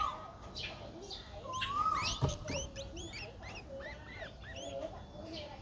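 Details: Four-day-old Streak-eared Bulbul nestling, a very common resident, recorded at Ubon Ratchathani, Thailand, on 6 April 2023; rapid series of short, thin chirps, many rising then falling, run closely together with a faint background hum.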